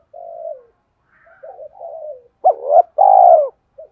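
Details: Spotted dove song used to goad wild doves into answering. Quiet low coos build into a loud phrase: a sharp two-part note followed by a drawn-out, slightly falling coo, then a brief clipped note at the end.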